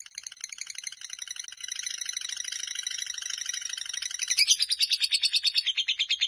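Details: High, buzzy chatter from a fighter lovebird in a ngekek run close to four minutes long, starting softer and ending in louder, clearly pulsed rattling notes.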